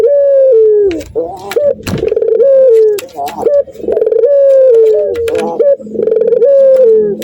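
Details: A courting male Barbary dove, in breeding condition and seeing a female, repeats sustained mellow coos that fall at the end, separated by short throaty notes and brief clicks.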